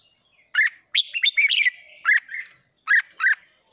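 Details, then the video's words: A worked-up captive red-whiskered bulbul sings hót ché style to stimulate other birds, giving short, bright, looping whistled phrases with gaps, ending in two quick paired notes. "Chào mào hót kích bổi ức chế căng lửa hót ché"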